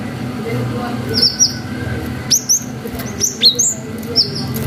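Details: Lively cinereous tit giving long whistles, a lure meant to excite young birds into responding. Thin, high, sharply falling whistles repeat about once a second over a constant low background hum.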